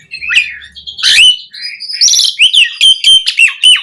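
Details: Song of an Asian pied starling recorded to train captive birds: a harsh buzzy burst, then a rapid series of loud clear whistles at a steady pitch with squawky accents.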